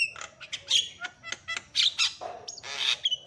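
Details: Javan myna in full loud voice, calling meant to make other mynas shout back; sharp squawks and clicks come roughly once a second, then a drawn-out grating screech and a thin whistle.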